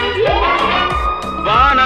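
Screaming piha giving a loud ringing whistle that sweeps upward and holds, then starts to rise again, over a steady background murmur.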